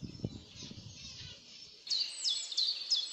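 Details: Captive long-tailed finch (Poephila acuticauda) kept as a pet: after a stretch of low rumbling noise, high thin chirps and sharp tweets come in quick succession, several per second.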